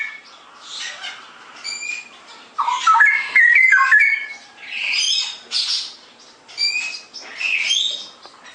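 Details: Straw-headed bulbul singing ngeropel: a loud central burst of gurgling, rapidly rising and falling warbled notes, framed by softer, repeated high chirps and short whistled notes.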